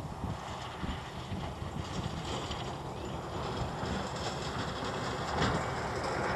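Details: Only breezy outdoor noise and faint mechanical rumbling are heard.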